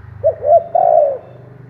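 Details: Single cooing phrase from a decoy spotted dove calling to attract wild doves: two brief rising coos followed by a longer steady coo, with a low background hum.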